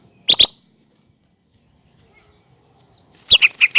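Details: Cucak rante, male and female, recorded for bird training and luring: two quick bursts of sharp high chirps, a long silent gap, then a rapid run of descending chirped notes.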